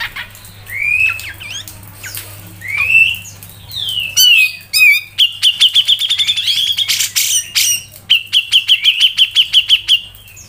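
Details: Black-crested bulbul song used as a training recording for songbird keepers: varied whistled rising notes, then rapid repeated sharp 'pik' notes in fast trills, with a low steady hum underneath.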